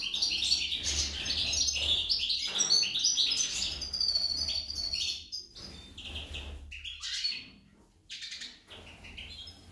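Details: Female goldfinch delivering a long, fast, jumbled twittering song with high trills and chirps, thinning into scattered notes and a brief lull near eight seconds.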